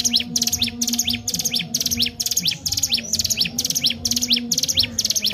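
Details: Ciblek gunung singing steadily to provoke other birds: bright high chirps, each followed by a swift descending whistle, repeated at an even pace near two per second, with a soft low tone beneath.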